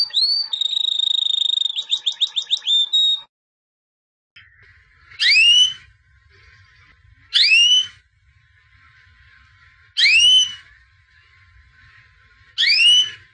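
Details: Albino white canary, a 2017 champion, opening with a high whistled note and a rapid rolling trill, then, after a silence, single loud descending swept notes spaced roughly two to three seconds apart.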